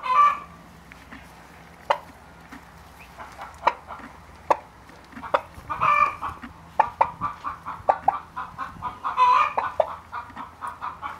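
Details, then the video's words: Turkey chicks ten days old give brief chirping peeps, sparse at first and then denser and more rapid toward the end, with a faint constant hum behind. "Turkey chicks 10 days old"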